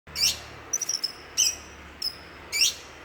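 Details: Greater green leafbird from Banyuwangi, East Java, a village champion songbird, giving short, sharp high chirps and brief upswept notes at uneven intervals of about a second, with quiet gaps and a faint low hum between phrases.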